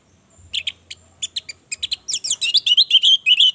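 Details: Lure song of a female orange-headed thrush, used to arouse and anger males so they sing. Sparse high chirps quicken into a dense run of twisting, rising and falling whistled notes.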